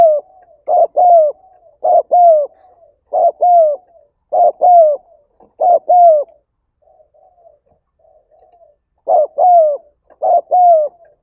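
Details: Spotted dove giving a 'thúc gáy gọi' urging call, used to stimulate decoy doves: paired mellow coos repeated about every 1.3 seconds, with soft, quiet cooing murmurs between phrases and a short pause before the phrases resume.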